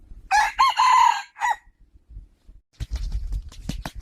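A rooster gives one short crow of several loud, ringing parts lasting just over a second. Sharp clattering knocks and rustling follow.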